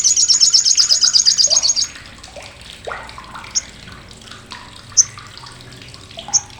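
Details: Sogok Ontong or Sriganti (olive-backed sunbird), whose loud, coarse, sharp chattering trains contest birds: a rapid high rattling burst opens for two seconds, then sparse soft chips and a few sharp isolated notes follow.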